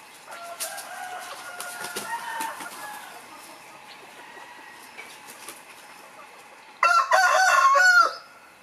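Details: Domestic rooster crowing: faint, drawn-out crows in the distance over the first seconds, then one loud, harsh crow near the end lasting about a second.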